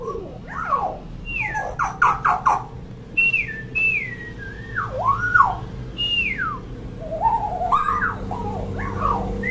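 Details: Common hill myna, noted as a noisy, chattering bird, pours out a varied string of falling and rising whistles mixed with quick clicking bursts, loud and continuous over a low background hum.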